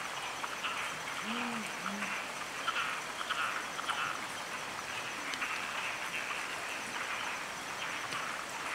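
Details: A pair of wild tawny fish owls calling to each other beside a stream in Taiwan: two short, deep hoots in quick succession, low and soft, under constant rushing water.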